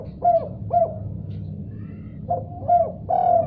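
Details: Spotted dove calling in answer after hearing another call: two short cooing notes, a pause, then three more soft coos in a quick series, over a low steady hum.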